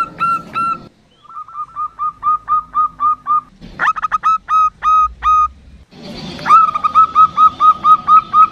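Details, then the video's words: A local female zebra dove calls, used to attract males; steady, clipped hooked notes about three per second, a sparser spaced run in the middle, then a louder, faster closing series. "SUARA PERKUTUT BETINA LOKAL BUAT PANCINGAN"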